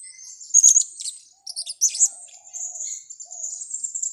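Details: Trapping lure sound of a blue-crowned hanging parrot: two quick bursts of piercing high squeaks, followed by a steady thin, high twittering trill.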